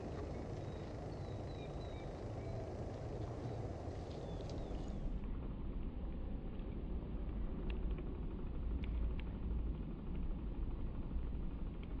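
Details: Steady low vehicle rumble and outdoor noise fill the whole recording, with no clear animal calls.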